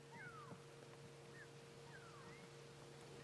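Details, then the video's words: On a cold sunrise safari drive in June, a go-away bird gives faint, nasal, drawn-out descending 'wah' calls every second or two over a low engine hum; not frantic and unaccompanied by other alarms, judged contact calls between go-away birds rather than an alarm. "Doesn't sound frantic. It sounds just like a call between two go-away birds or a group of go-away birds. It's not an alarm call."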